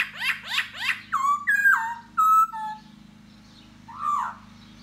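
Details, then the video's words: Laughingthrush (khướu da bò) singing while dancing to attract a female: a quick run of downsweeping notes, then loud whistled phrases dropping in steps, a pause, and one final slurred whistle over a low background hum. "Khướu Da Bò Hót Múa Dzụ Mái"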